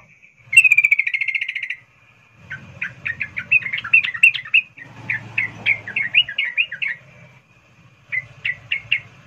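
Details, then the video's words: Female sooty-headed bulbul in breeding condition calling to a male: a fast rattling trill opens, followed by a long run of sharp chattering notes in uneven groups, then a brief trill near the end; faint low rumble behind. "Trucuk Betina memanggil jantan Suara NgeroL birahi"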